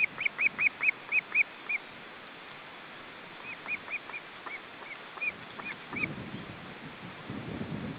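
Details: Whistled chirping from an osprey family at the nest, where the parents bring fish to three chicks on a windy day: fast series of short arched notes, a pause, then more spaced chirps, with gusts of wind toward the end.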